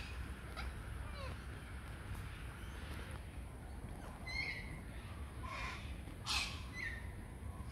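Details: On a morning, a flock of corellas gives harsh, rasping screeches in scattered bursts, loudest near the end, over a steady low rumble of background noise.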